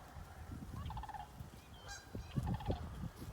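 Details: A sandhill crane in Ontario, the first heard and seen this year, possibly heading into a field near a backyard, gives short, rolling, rattling trumpet notes in two brief bursts, set against heavy low wind rumble.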